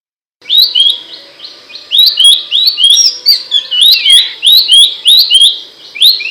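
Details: Loud, sharp Abbott's babbler song used as training material for songbirds: a fast, continuous run of bright, upswept notes, about three to four per second, topped by thin high ticks over a faint low hum.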